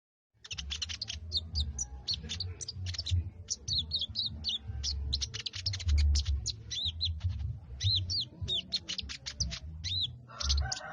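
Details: Sooty-headed bulbul giving plain ngriwik chattering; many sharp, high chirps and short downslurred notes are packed in fast irregular runs over a low rumbling background.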